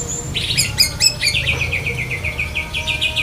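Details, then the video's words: Black-breasted Oriental magpie-robin, a trained songbird, singing a lovebird-imitating song: a few sharp, high stacked chirps, then a fast even run of short, bright, repeated notes about six per second, over low background hum. "Kacer DAHIT besetan kapas tembak sambung lovebird"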